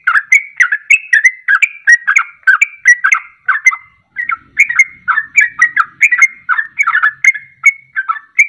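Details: Sooty-headed bulbul delivering ropelan, a fast continuous song played as a lure to set other birds singing. Dense run of bubbly, warbled whistles with one short pause midway.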